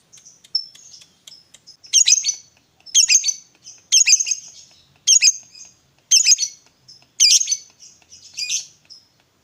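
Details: Lovebird used as a prompt to make another lovebird sing: soft high twitters followed by loud harsh squawking bursts about once a second.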